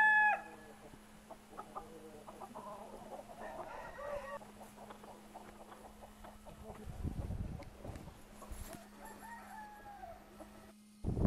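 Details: Decorative chickens in Altai, including Brahma and Pavlovskaya breed hens and roosters, recorded February 24, 2016; a few short harmonic clucks open and close the recording, with quieter scattered clucks and a steady low hum in between.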